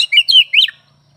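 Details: Brief phrase from an oriental magpie-robin: three quick, bright warbled notes sliding up and down, then silence apart from a faint low hum.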